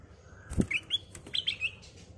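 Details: Kutilang emas, the black-crested bulbul, in a crystal-clear lure song: a string of short whistled notes, some rising and some slurred, over a low background hum with a soft thump.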